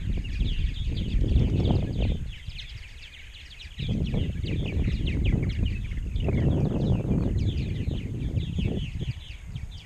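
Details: Purple martins at a large Rainsville, Alabama colony of roughly 920-930 pairs. Steady chatter of countless chirping birds runs throughout, while strong gusts of wind rumble loudly, easing for a moment midway.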